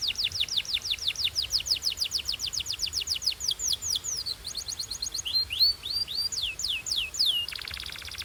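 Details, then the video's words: Canary singing in pure Belgian style: long even series of sharp downslurred whistles, a brief fast trill, a few rising hooked notes, and a closing dense buzzy roll. "This Canary’s Melody Makes All Birds Join In – Pure Belgian Singing"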